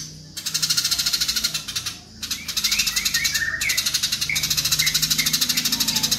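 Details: Fighting house sparrows, loud: continuous fast rattling chatter in several bursts, with short wavering chirps threaded through it and a low steady hum in the background.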